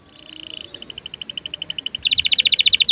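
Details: Singing canary used as a lure to set other canaries singing: a steady whistled note, then a brisk run of evenly repeated chips, ending in a louder, faster rattling trill of bright notes.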